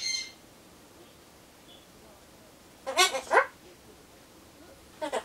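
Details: Pet Solomons corella talking to itself while waiting for pumpkin, mimicking phrases like bye-bye and see you. Mostly quiet room, then a cluster of three harsh, rasping speech-like syllables midway and another short burst at the end.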